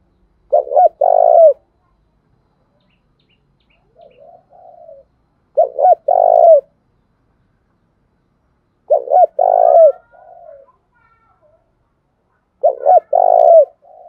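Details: Spotted dove used as a decoy to draw calls from wild birds, giving four loud low coo phrases roughly every four seconds, each stuttered notes then a sustained coo, with soft brief coos between.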